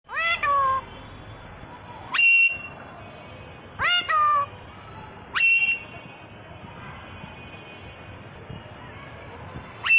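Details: Talking Alexandrine parakeet in Bangladesh giving sharp, loud squawks that sweep steeply upward, some held as a shrill steady note, repeated about every one and a half to two seconds over a low constant background hum.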